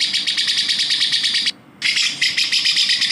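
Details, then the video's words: Cucak jenggot, the grey-cheeked bulbul, as a training recording for songbirds: a continuous scratchy, rapidly pulsed chatter, high and noisy, broken by one short silence midway. "masteran suara burung cucak jenggot"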